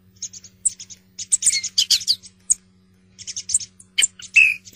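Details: Song thrush in full song, a dense run of scratchy, high chirps and short whistled notes in quick bursts, ending on a drawn-out whistle, over a low steady hum.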